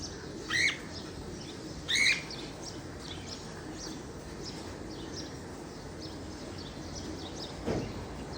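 A cockatiel gives two short, bright chirping calls against a low background hiss.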